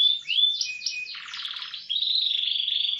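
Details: Short burst of canary tutor song, roll speed type: a rising whistle, repeated bright notes, a buzzy rattled tour, then a steady fast pulsing roll.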